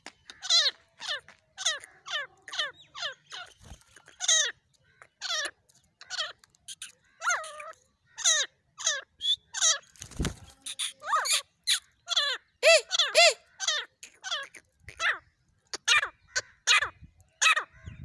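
Partridges calling in a fast, harsh series of sharp, downward-slurred notes, several birds overlapping.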